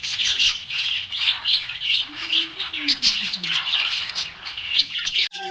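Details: Happy budgerigar chirping: a dense, continuous stream of quick twittering and warbled chirps with chattering squawks, plus faint low sliding tones underneath.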